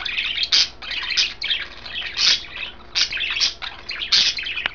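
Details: Kale-eating pet budgerigars, one green, one blue, one white, give rapid scratchy warbling with sharp louder chirp bursts every second or so.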